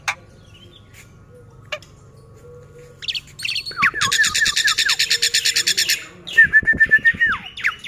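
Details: Black-winged myna singing while held in the hand: a varied song of sharp clicks and slurred whistles, then a long burst of harsh buzzy rattling, ending in clear descending whistles.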